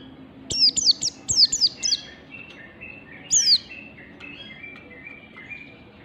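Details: Morning ngalas song of an Oriental white-eye, used to teach birds: a rapid run of five or six high falling whistles, then a lone descending note, with faint level whistled tones in the background.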